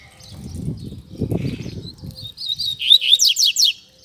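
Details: Double-collared seedeater singing a song in the Tui Tui Zel Zel style, used to train young seedeaters. A quick run of about seven high, sharply slurred notes ends the phrase, after low rumbling, fluttering noise.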